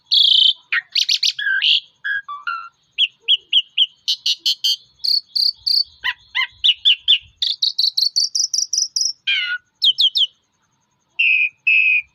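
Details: Male Asian pied starling in a fighting mood, singing a long, varied string of loud whistles, buzzy rattles and clipped notes, with a run of rising repeated whistles near the end.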